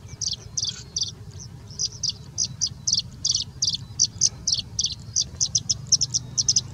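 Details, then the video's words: Singing bush lark in India singing continuously with mimicry: a steady stream of high buzzy chip notes, some doubled, about three to four per second throughout. "Singing Bushlark singing and mimicking for more than three minutes straight"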